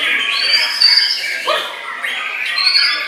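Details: White-rumped shama, noted for bowing low, holds long high thin whistles broken by a low swooping note and soft chatter, with other birds faintly overlapping.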